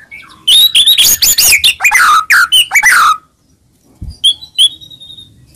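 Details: White-rumped shama song played to stir a silent shama into singing: a dense, varied burst of sharp whistles, slurred downward notes and chatters for under three seconds, then quiet with a few faint high notes.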